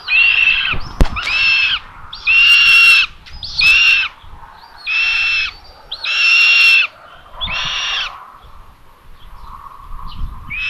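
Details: Common buzzards at a live nest in Tiszalök, Hungary, May 27 at 12:32, while a parent feeds the third chick. Drawn-out, harsh, harmonic mewing calls, each about half a second, repeat at irregular intervals of roughly one to two seconds.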